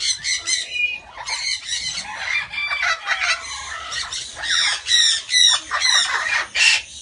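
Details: Incubating Guinea turaco at a parrot breeding shop gives harsh, raspy squawks, about two a second, in uneven bursts that grow louder toward the end.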